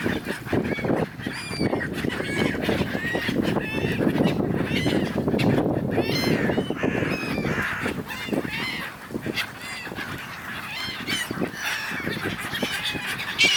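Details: A large flock of gulls squabbling on the River Dnipro, Kyiv, Ukraine, in January: constant overlapping squawks and yelping calls, some rising and falling, over a low rumble of background noise.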